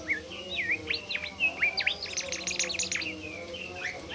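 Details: Bimoli bird, a shy species described as nearly extinct, singing in response to a lure recording: a busy, varied run of high whistled notes, slurred upsweeps and quick chirps, dense and overlapping throughout, over faint low background hum.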